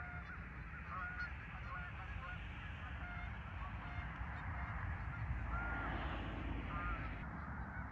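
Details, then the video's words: A farm park goose flock, recorded 10 November 2024, keeps up a dense chorus of honks, a few clearer drawn-out calls near the end over low background rumble. "Geese At The Farm Park"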